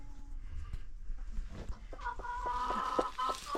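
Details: On a free-range chicken farm with new baby chicks, a run of short, stacked clucks starts about halfway through and repeats quickly after a quiet, noisy opening.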